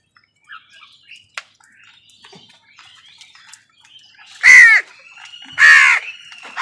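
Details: Crows competing with wild birds for food give two loud, harsh drawn-out caws near the end, after a stretch of faint chirps and twitters from smaller birds.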